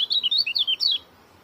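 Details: Quick, tight phrase by an Oriental white-eye (kecial kuning): about seven bright, high chirps with wavering, slurred pitch, run together within one second before the bird falls silent.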